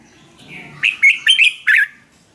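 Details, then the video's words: Red-whiskered bulbul from Thailand singing in a cage, a recording for stirring up or training other birds: a single lively phrase of four clear, rolling whistled notes, preceded by a soft low murmur. "เสียงนกกรงหัวจุก สำหรับต่อ หรือ เปิดให้นกคึก เสียงเพราะๆ"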